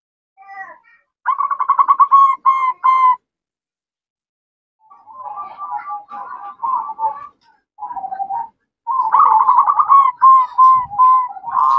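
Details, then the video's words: Talkative female zebra dove calling the male, in ngerot, nretek and manggung style; a fast burst of stuttered pulses, quieter chattering rolls after a pause, then a long run of rapid pulsed coos. "Perkutut Betina Cerewet Memanggil Jantan, Ngerot,Nretek, Manggung"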